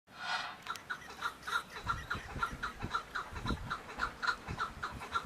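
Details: Chukar partridge calling with a steady series of short, clucking chuk notes, repeated roughly twice per second, over low rumbling and thumping background noise.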